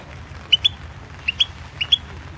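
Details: Competition recording of a Balkan European goldfinch from the 2016 World Championship in Goldfinch Song. Three pairs of sharp, high chirps spaced about half a second apart, with a low background hum.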